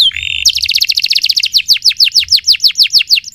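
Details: Singing canary on a training recording: a short flat whistle, then a rapid burst of downslurred notes that slows into evenly repeated slurred whistles, about four per second.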